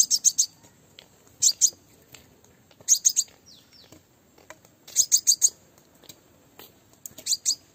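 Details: Female Crimson sunbird call used to excite males when trapping without a live female: short clusters of two to four thin, high-pitched tweets, returning irregularly about every one to two seconds, little background noise.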